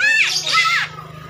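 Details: Javan myna (jalak kerbau), said to be clever at talking, giving a loud, harsh, speech-like phrase of about a second with sweeping, squawky tones, over a steady low hum.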